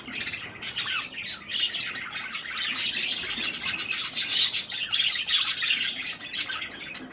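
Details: Pet budgerigars eating cherry tomatoes produce lively overlapping chirps and warbles, rapid sharp ticking notes at the middle, busy and continuous throughout.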